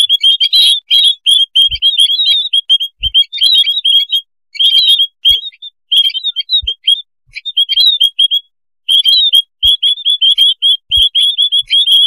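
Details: A noisy colony of white-headed munias, used as a bird-trapping lure call, gives constant thin, high peeping chirps overlapping in busy bursts, with a few soft low knocks between them.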